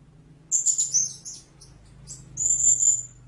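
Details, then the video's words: A blue-crowned hanging parrot gives very high, thin, sibilant squeaky notes in two short bursts, with a faint low hum behind. "เสียงนกหกเล็กปากดำ Blue-Crowned Hanging Parrot Sound"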